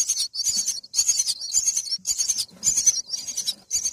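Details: Myna chicks in the nest, being fed a bullfrog by a parent, beg with harsh, hissing rasps, about eight bursts in four seconds, each roughly half a second long, with faint background noise.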